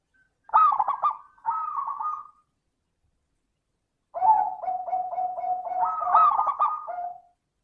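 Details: Zebra dove singing as a lure for other doves: two quick warbled coo phrases, a long pause, then an even run of about eight low rhythmic coos ending in a higher rolling flourish.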